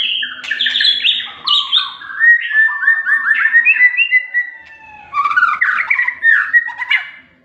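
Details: Varied, fluty song of a white-rumped shama, with rapid jumping whistled notes that shift in pitch, buzzy trills between them, a short pause, then a second run of bright, quick whistles.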